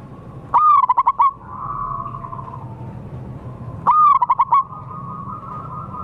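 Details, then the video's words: Zebra dove call used to lure wild local birds. Two phrases about three seconds apart, each a sharp rising note followed by fast pulsed cooing. A humming, steady tone fills the gaps. "suara pancingan dan pikat burung perkutut liar lokal paling ampuh"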